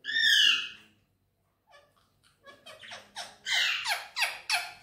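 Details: Pet green Indian ringneck parrot indoors, vocalising: one loud harsh screech, a pause, then a run of rising squawky notes repeated several times a second, building louder.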